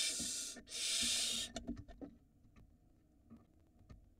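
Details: Barn owl at a nest in Israel, filmed by a live nest camera during the 2022 breeding season as the male passes a mouse to the female for their nestling: one long harsh breathy hiss, then faint clicks and soft knocks.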